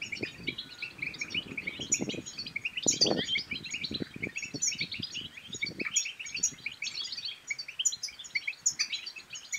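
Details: A goldfinch's song for stirring other European goldfinches to sing and breed: a long stream of lively high twitters, buzzy trills and bright chips, with intermittent low thumps and clicks beneath.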